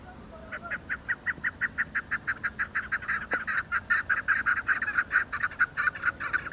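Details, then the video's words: Chukar partridges calling in the hills of Budgam, Kashmir, in October 2021: a fast, steady series of loud, clucking chuck notes, around three to four per second, building in strength over the clip. "Chukar patridges calling"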